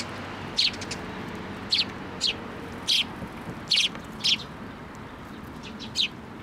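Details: Sparrows coming for food set on a post at a Tenmangu shrine, 26 May 2024. Clear single and paired chirps repeat roughly every half second to a second, with faint low background noise.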